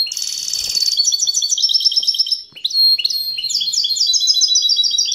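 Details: European goldfinch hybrid delivering a busy, high song: a buzzy rattling opening, then cascading chirps and short whistled notes repeated in quick series after a brief pause.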